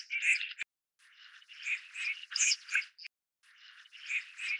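Red-crested pochard giving harsh, raspy, wheezy calls in rough bursts of about a second, separated by brief silences.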